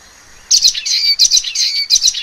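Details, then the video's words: Common waxbill (Estrilda astrild) song: a continuous high, buzzy chatter of rapid nasal notes that rise and fall in brief pulses, heard over a thin constant whine in the background. "橫斑梅花雀/Common Waxbill( Estrilda astrild)singing"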